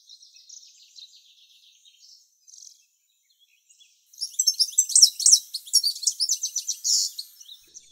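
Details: A male European goldfinch sings a few tens of metres from the nest in late July while the female incubates. Faint tinkling twitters come first, then a loud, rapid run of liquid, buzzy trills and chirps from the fourth second on.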